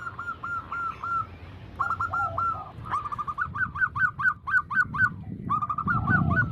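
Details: Zebra doves (perkutut) heard as a group of singing birds: evenly spaced coo notes, then overlapping voices with quick, sharply rising clipped notes repeated about twice a second, low background rumble growing toward the end.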